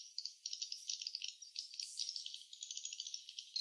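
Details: Faint, rapid series of high clicking and twittering notes from swiftlets at the nest, evenly pulsed with a few brief rising squeaks.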